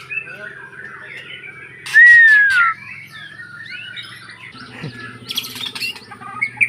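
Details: White-rumped shama song: mostly soft, quiet warbling, broken by one loud, clear, downward-sliding whistle. Faint scratchy notes follow, with a low hum in the background.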